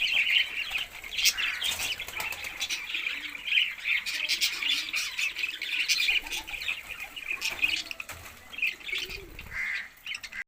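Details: Budgerigars calling together in a continuous dense chatter of high squawks and warbling chirps, many voices overlapping without pause, with occasional wing flutters.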